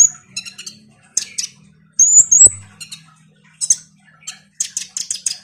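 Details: Lure song of a hard-singing kolibri ninja (Van Hasselt's sunbird), meant to make lazy birds call more often. Piercing high chips and a loud whistled sweep over a faint low hum, with bursts of rapid ticks.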